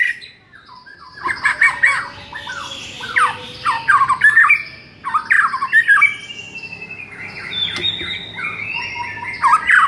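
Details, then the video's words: White-rumped shama song from a tutor recording for a shama that sings too little: after a quiet opening, harsh, scratchy phrases with sliding whistles, bursts of chatter and a long high whistled note. "MASTERAN UNTUK DONGKRAK EMOSI MURAI BATU YANG KURANG GACOR"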